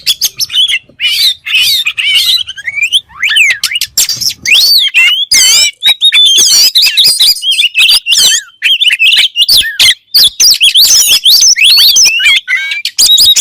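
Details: Long, vigorous oriental magpie-robin (kacer) song: rapid alternation of clear whistled slurs, trills and harsh scratchy bursts, many short phrases separated by brief pauses.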